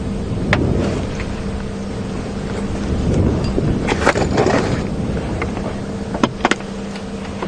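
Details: Loud vehicle engine hum with steady low tones and scattered clicks and knocks during an afternoon safari drive at Djuma Game Reserve, with no animal calls.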